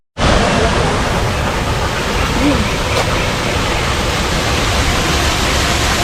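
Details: Loud, constant rushing noise like falling water fills the recording, with no animal calls.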